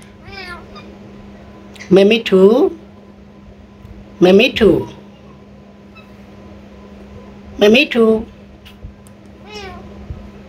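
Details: Pet blue Indian ringneck parakeet talking indoors, giving three loud voice-like phrases with rising and falling tones, each about a second long and spaced two to three seconds apart, plus softer short calls between, over a steady low hum.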